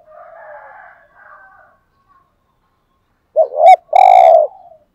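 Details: A spotted dove calls in the 'hạp' style used to excite caged males. Soft, breathy murmuring coos open the passage. After a pause comes one loud phrase: a stuttering rising double note and then a sustained low hoot.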